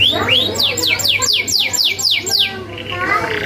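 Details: Canary song from a tutor recording with sharp rolls: a string of about eight quick high sweeps sliding downward at even spacing, then softer warbling, with a constant low hum behind.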